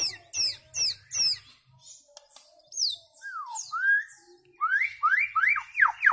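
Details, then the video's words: White-rumped shama singing: four quick high downslurred notes, then scattered sweeping whistles that fall and rise, ending in a fast run of loud upslurred whistled notes. "Amazing White-rumped Shama Bird Song Singing And Chirping"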